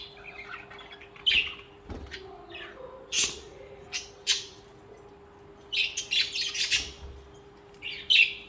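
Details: Companion budgerigars produce lively squawks and grating chirps in irregular clusters, some broad and noisy, others short and tonal, with a steady low hum in the background.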